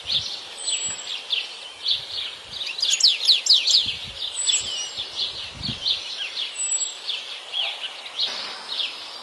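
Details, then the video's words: European goldfinch in the wild giving a fast, liquid twittering song of bright, jingling notes. A brief rustle and soft low thumps are heard between phrases. "تغريد اكثر من رائع لطائر الحسون في الطبيعة"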